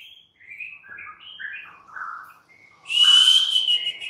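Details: Afternoon white-rumped shama song for provoking a captive bird to sing: a run of soft varied warbles at middle pitch, then a loud harsh buzzing phrase over a sustained whistle.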